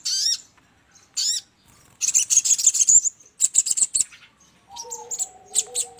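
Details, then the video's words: Trapping lure of sogon calls: two brief high upslurred notes, then a fast buzzy trill and quick chirp series, ending in soft high notes over a lower double whistle. "PANCINGAN PIKAT SUARA BURUNG SOGON"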